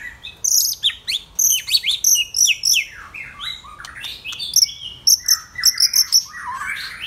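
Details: White-rumped shama singing loudly, a rich varied stream of whistled phrases, sharp high notes and downward-swept slurs, with quick trills and chips packed closely together.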